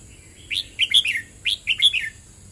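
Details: Red-whiskered bulbul in 'boen rik' style, giving two brisk phrases of loud whistled chirps, each rising sharply, bouncing across several notes and trailing off on a lower slurred tone, with a light steady hiss behind.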